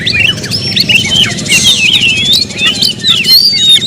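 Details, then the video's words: Caged Oriental magpie-robin giving a flowing series of smooth whistled slurs mixed with quick chirps, steady and continuous throughout, over a low background drone. "suara kicau burung Kacer"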